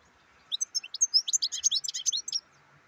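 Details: European goldfinch delivering a quick, bubbly phrase of about fifteen high, metallic chirps and whistled slurs packed into under two seconds, a faint hum beneath.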